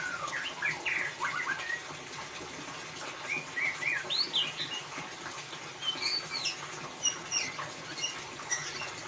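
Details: White-rumped shama singing ngeriwik, intended as a lure for a quiet bird: dense bursts of varied rich whistles and trills, some notes swooping upward, continuing with brief pauses through background hiss.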